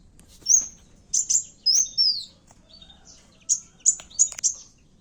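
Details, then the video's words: Kowul in fighting voice for use as a trapping lure: separate very high, thin slurred whistles and sharp chips, in pairs and small groups with pauses of about a second. "pancingan suara burung kowul tarung"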